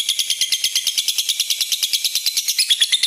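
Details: Long trilling song of a red-eyed lutino lovebird, used to draw out and train other lovebirds: an even, regular rattle of quick pulses, about three per second, that runs steadily throughout.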